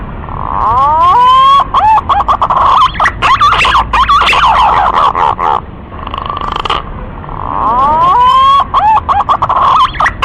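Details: Green pigeon giving loud whistled phrases: a rising series of wavering notes that ends in fluttering, looping whistles. The phrase comes twice, with a quieter gap between.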